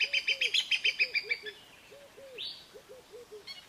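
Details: A crowned hornbill opens with a fast run of about a dozen harsh, pulsed notes. Low, soft, arched whistles follow in pairs and threes, with a single brief rising chirp partway through.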